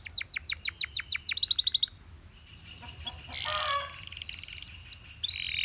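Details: Belgian canary singing in the morning: fast trills of repeated downward sweeps at about three per second, then a buzzy rattle, a pause, and later scattered rising whistles and a harsh buzzy phrase.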